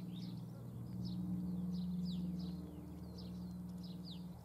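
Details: Domestic chicks with their hens, June 2016: a steady run of thin, high peeps, about four a second, each a short downward-sliding whistle, over a low constant hum.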